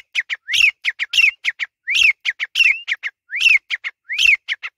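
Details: Pakistani grey francolin calling: a loud, rapid, repeated phrase of a rising, upswept whistle followed by several short, sharp clipped notes, cycling about every 0.8 seconds in a clear ringing series, with faint low thumps.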